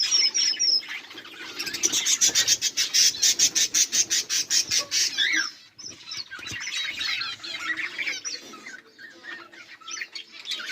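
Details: Budgerigars recorded on 18 July 2023: a fast run of sharp, evenly pulsed chirps lasting several seconds gives way to mixed warbling chatter from the flock.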